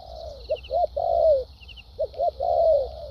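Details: Spotted dove, a kept decoy bird, cooing in thúc gù and lèo dặm style: brief low notes then a long mellow descending coo, heard twice, with faint insect ticking.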